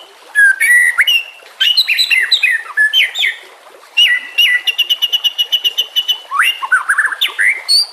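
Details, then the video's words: Tutor recording of white-rumped shama song for training other birds, over a faint water and nature background. Varied loud whistled phrases switch into a fast rapid-fire run of sharp repeated notes, then end in rising sweeps. "Masteran murai TERAMPUH yang di pakai semua burung juara"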